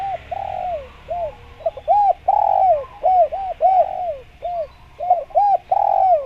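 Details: Lively spotted dove cooing, played to lure wild doves. Repeated phrases of short arched coos alternate with longer, downward-trailing coos, roughly a hundred notes per minute, loud and clear.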